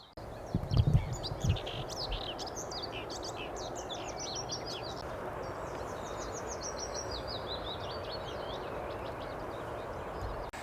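A Willow Warbler sings soft, sweet phrases that trickle down the scale, repeated over a steady low rumble of wind and distant traffic, with a brief thump near the start.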